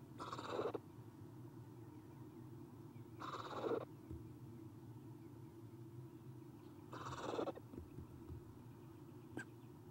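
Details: Eastern screech owl young, three owlets inside a nest box filmed on 30 April 2016 in the morning; breathy rasping hisses repeated about every three seconds, three bursts in all, against a low droning background.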